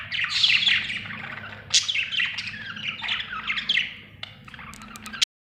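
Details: Budgies chirping in continuous overlapping twitters and squawky notes over a low steady hum, ending with a few sharp clicks before cutting off.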